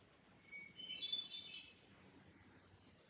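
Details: A Veery sings faint, fluty, ringing phrases, thin and high, over about two seconds, on a trail in central Pennsylvania on an overcast day, against a soft background hiss of light rain.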